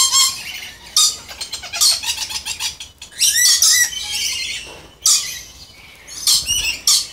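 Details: Moluccan red lories of pure subspecies screeching harshly in irregular bursts, the screeches interspersed with rasping chatter and squeaky notes.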